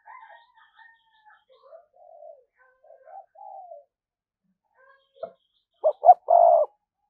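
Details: Spotted dove kept as a lure bird, cooing in the 'thúc gù' manner: faint, low murmured coos for several seconds, then a sudden loud burst of two short notes and a sustained coo at the end.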